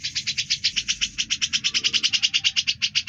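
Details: A vigorously singing grey-cheeked bulbul delivers a tight, rhythmic string of bright, staccato chips, regular and slightly accelerating, meant as tutor material for other cucak birds.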